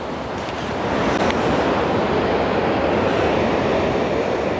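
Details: Loud, continuous roaring rumble like a passing train or heavy traffic, steady throughout with no animal voices.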